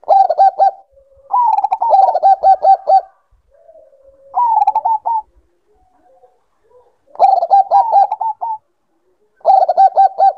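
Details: Bangkok-type zebra dove in breeding condition pours out rapid chains of short, musical coo notes in five bouts, separated by faint low purring and brief silences.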